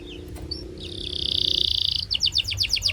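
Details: Canary singing, played to make other canaries sing: a long sustained high rolling trill over a lower hum, followed by a few rapid downward-slurred notes.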